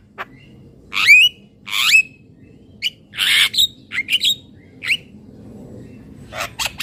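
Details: Javan myna calls: scattered loud notes, rising whistled squeaks and harsh squawks with gaps between them, over a faint low background hum.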